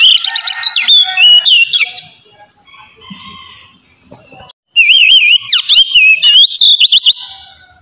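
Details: Oriental magpie-robin singing loudly in ngeplong style to stimulate young magpie-robins: a bright trilled phrase, a quieter gap with soft scattered notes, then a second strong phrase of wavering whistles and quick sweeping trills.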